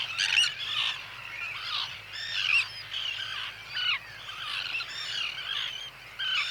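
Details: Common Tern breeding colony chorus, adults and young birds mixing contact, social, territorial and alarm calls: overlapping harsh, grating and squeaky calls, high-pitched and constant, many birds calling at once.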